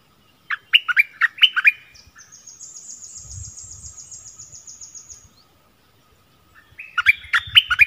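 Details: Streak-eared bulbul used as a decoy bird, recorded 16 February 2021: bursts of bubbly, chirping notes at the start and end, separated by a long, thin, high insect-like buzz, with faint low rustling.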